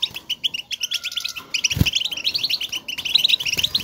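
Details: Bright goldfinch calling, the twitter birds use to keep in touch: quick strings of sharp high chirps, a faint thin whistle early on, and a single low thump near the middle.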